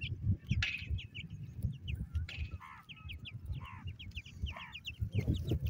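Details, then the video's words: Young partridges, known locally as teetar, call for their mother with quick high chirps and a few falling buzzy notes, against a steady low rumbling background. "pritridge bird chicks calling his mother"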